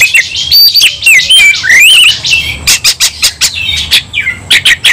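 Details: White-rumped shama fighting intensely: rapid whistled slides rising and falling, then a string of sharp clicks and short harsh bursts, about two per second.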